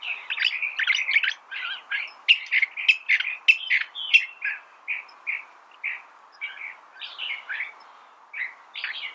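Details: California thrasher song in a dense, jumbled flow of short chirped and slurred notes, loud and rapid at first, then thinning to softer, spaced phrases toward the end.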